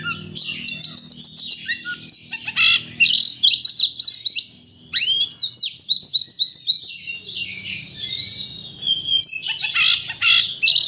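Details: Caged white-rumped shama song played to rouse a bird into singing its full repertoire, rapid series of sharp high chips, then looping whistled sweeps and trilled phrases, a brief pause midway, soft low hum in the background.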